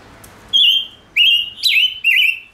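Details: Male Gouldian finch, stimulated into singing, gives a brief high tick followed by four strong, bright whistled notes, each a slurred rise and drop, spaced about half a second apart in calm surroundings.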